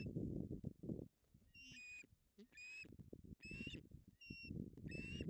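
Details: Two ospreys at a nest in Puszcza Napiwodzko-Ramucka forest, Poland, on 16 August 2021, fighting over a fish in a tug-of-war the female wins. Whistled, high harmonic calls come in short bursts between loud low rumbling and flapping noise.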